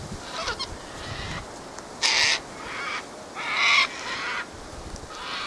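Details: Sulphur-crested cockatoos (Cacatua galerita), a flock that gathers here, fighting on a windy day: harsh, broadband screeches, with two loud raucous blasts among quieter squawks.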